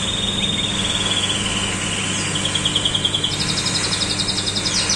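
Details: A common nightingale (Luscinia megarhynchos) sings high, rapidly repeated notes, then a fast, brighter trill, over a steady low rumble like distant traffic.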